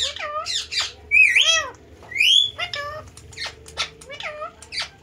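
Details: Pet parrot talking and dancing indoors: a string of warbled, speech-like syllables mixed with short squawks and two drawn-out whistled rising notes, over a low steady hum.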